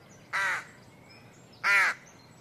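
A bird gives two harsh, rasping caws, each about a third of a second long and spaced just over a second apart, over a faint steady background hiss.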